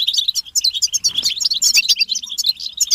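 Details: Several European goldfinches chatter together in a butbata, a motivational chorus for males: a continuous stream of high, liquid twittering notes and quick trills with no gaps.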